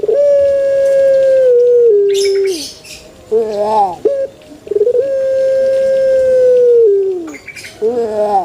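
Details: Male Barbary dove cooing: long, steady, drawn-out mid-pitched coos, each held about two seconds and dipping lower at the end, separated by short broken notes, with faint rustling in between.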